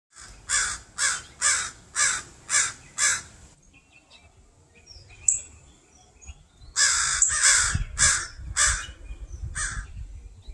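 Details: A pair of crows in a yard with pine trees caws loudly and continuously at a person to protect their fledgling; harsh caws come in a fast series of seven, a pause with faint noises, then another burst of six.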